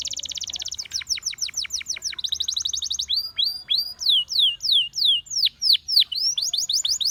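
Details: Singing Gloster canary alternating a fast high buzzy trill, a series of steep down-slurred chirps, another rapid rattle, and spaced sweeping whistled notes.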